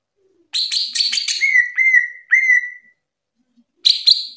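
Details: Green leafbird (cucak ijo) singing loudly in the ngerplong gacor style. A buzzy, chattering burst is followed by clear whistled notes that slide down and level off, each about half a second long, then a further buzzy phrase.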